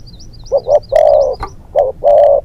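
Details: Spotted dove kept as a hunting decoy, a young bird out for its second training session, giving a double note then a long low coo, twice; a higher wavering bird whistle sounds in the background at first.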